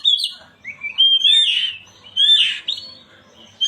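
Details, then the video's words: Oriental magpie-robin song played to stir a silent bird into singing: loud, varied whistled phrases, some sliding upward and some burry, in bursts about a second apart with short pauses between. "Pancingan burung Kacer yang macet bunyi"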